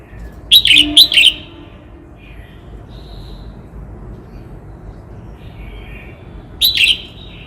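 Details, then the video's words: Red-whiskered bulbul of Cao Bằng, Vietnam, sings a double burst of quick warbled notes, then, after a pause of about five seconds, another short bright phrase. Faint bird twitters fill the gap. "Tiếng chim Chào mào hót - Chim chào mào Cao Bằng hót cực hay"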